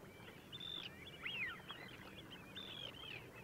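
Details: Long-tailed ducks at Liepāja, Latvia, January 2024, giving nasal, yodeling calls that swoop up and down, several overlapping as from a flock, over a steady hiss of wind and water.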